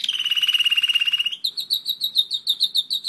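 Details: Song of a German Roller-split canary, one year old: a sustained, rapid rolling trill for over a second, then clear downslurred notes repeated about seven times per second.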